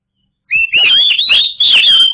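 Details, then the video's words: White-rumped shama singing a lure song meant to make silent birds sing: a loud burst of rich whistled and warbled phrases around a steady high pitch, with sharp clicking notes mixed in, starting after a brief silence. "SUARA KACER TERBAIK BUAT MEMANCING KACER MACET PASTI LANGSUNG NYAUT"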